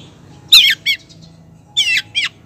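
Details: Long-tailed shrike female calling the male with rasping, buzzy notes that slide downward, given in two pairs separated by about a second of quiet, each pair a long rasp then a shorter one.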